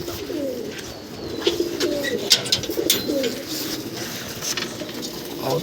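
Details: Pigeons being fed during a Kalbaishakhi nor'wester storm give low, soft cooing notes repeated over a loud rushing background of wind and rain, with scattered clicks and knocks.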